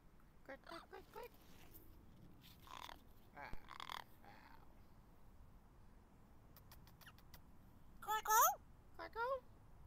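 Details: Blue-fronted amazon perched in a backyard tree on a warm, pleasant day gives short speech-like talking phrases, whistles and screams its name, ending in loud, harsh, sweeping whistled screeches over faint outdoor background; finding: turquoise-fronted amazon.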